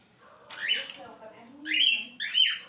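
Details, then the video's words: Cockatiel calling: three harsh, rasping screeches with whistled tones, with faint low murmuring in between. "as calopsita fazendo barulho"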